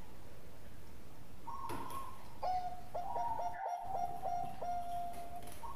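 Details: Bangkok-type zebra dove singing, a 'golden voice' bird used to coax other doves into song: a quieter level cooing line with several clipped hiccup breaks, over a hissy background and a brief click.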